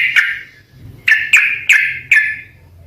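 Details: Sooty-headed bulbul giving short, clear downslurred notes, one at the start and then four in quick succession about a third of a second apart, with faint low background hum.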